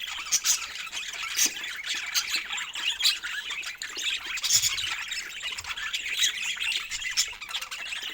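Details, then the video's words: Playing pet budgies keep up a bright, overlapping warble of high chirps and squeaks, with louder sharp calls popping out irregularly about every second or two. "Adorable Budgies Playing Together"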